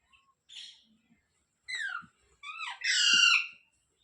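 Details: A pet rose-ringed parakeet gives short descending whistled notes that build into a loud, rasping, sustained screech lasting close to a second.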